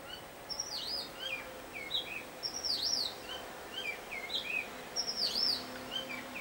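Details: Robin, a noted mimic singing one of its different tunes: high whistled phrases with sweeping up-and-down slurs, a bright rising-falling phrase returning about every two and a half seconds, over a steady low background hiss.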